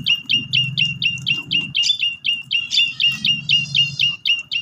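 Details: Lure recording of Asian pied starling singing, meant to provoke a sulking bird into song. Quick, even series of sharp chirping whistles about four a second, with some harsher overlapping notes and a low background hum.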